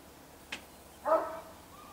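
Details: Gambel's quail hen gathering her chicks, Gold Canyon, Arizona, 20 May 2011; a brief click followed by one loud, rich, nasal call lasting about a third of a second, then a faint trailing note, over quiet hiss.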